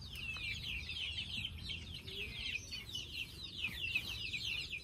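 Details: Chicks settling for the night, producing a continuous mass of high, downward-curving peeps from many birds at once, with faint low noise beneath.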